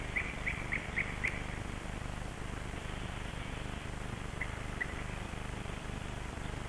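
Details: Dawn birdsong at Kasmu, recorded at sunrise on 21 May 2012: a quick run of five sharp high chirps, a pause, then two more isolated chirps over constant low ambient noise.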